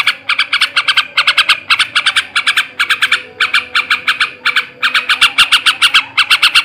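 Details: Male sooty-headed bulbul singing ngebrem ngekek garuda style to raise breeding drive in other birds: harsh repeated notes in tight clusters, almost unbroken, with a faint background hum.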